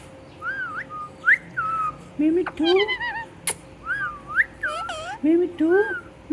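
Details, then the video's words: Pet talking parrot mimicking speech: curved whistled notes alternate with lower, voiced word-like syllables that rise in pitch, in uneven bursts across six seconds, with a sharp click midway. "Talking Parrot Mitthu Mitthu"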